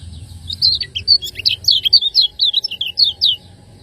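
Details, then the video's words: Training master of a lemon-bellied white-eye from Lombok, 'ciak ngejos' style: an unbroken stream of rapid, piercing, twisting chirps, each note sharply rising and falling, over a faint low rumble. "ciakngejos|Masteran burung kecial kuning"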